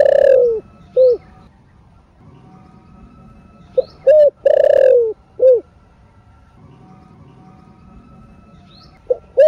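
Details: ['Spotted dove (cu gáy, cu đất) in thổ sấm / thổ rền voice, used to stimulate caged doves: deep hollow coo phrases, each a rolling falling coo followed by shorter clipped notes, repeated several times with pauses, steady faint hum behind.']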